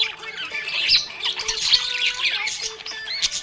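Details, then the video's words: Budgerigar chirping cheerfully in a rapid, scratchy high chatter with quick squawks, over faint sustained background tones. "Happy budgie chirping sound"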